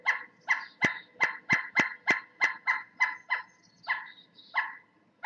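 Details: A pileated woodpecker, one of two birds heard near a home woodshed (the other believed to be drumming on the shed), gives a loud, ringing series of nasal 'wuk' notes, about three per second, slowing near the end, with a few sharp knocks mixed in.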